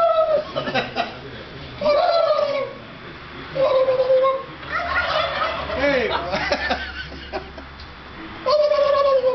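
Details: Real turkeys gobbling back at people imitating them; several loud, rolling gobbles at intervals of about two seconds, mixed with human voices and attempted gobbling in between.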